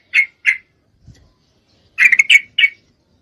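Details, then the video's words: Female yellow-vented bulbul in breeding condition, calling a male: two clipped chirps, a pause, then a short burst of harsh chattering notes and one final chirp. "Trucuk Betina Memangil jantan, full Birahi"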